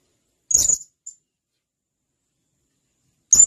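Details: ['A blue-crowned hanging parrot gives a piercing high note followed by a tiny soft peep. After nearly three seconds of silence, another sharp note starts.']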